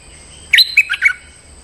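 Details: Stripe-throated bulbul lure call meant to draw out a territorial resident bird: a quick burst of four or five bright, chattering whistled notes with slurred down-and-up inflections, over a steady high-pitched whine.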